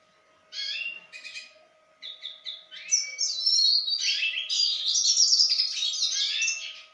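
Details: Male Yarrell's siskin hatched in 2016, rehearsing its song: scattered high chirps, then a sustained fast twittering run of bright whistles, trills and buzzy notes that runs without a break to the end. A steady electrical hum sits underneath.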